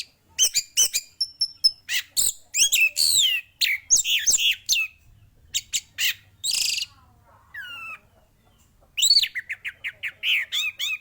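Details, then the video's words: Male orange-headed thrush in full, vigorous song, delivering a dense, varied stream of high whistles, upslurred notes and rapid trills with few pauses, one lower rising whistle standing out mid-phrase. "burung anis merah jantan gacor full sampai telerr"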